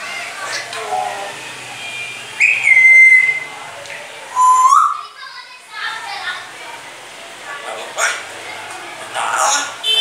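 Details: Pet grey parrot indoors after bathing, mimicking phrases and coughing: a clear whistled note held near two seconds, then a short rising whistle, between scratchy speech-like chatter and sharp clicks in a room.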